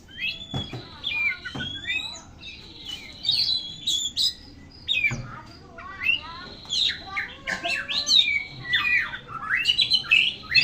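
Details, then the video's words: Oriental magpie-robin singing vigorously: a varied stream of clear whistles, slurred rising and falling notes and sharp chips, with several sustained steady whistled tones, continuous throughout. "Kacer gacor"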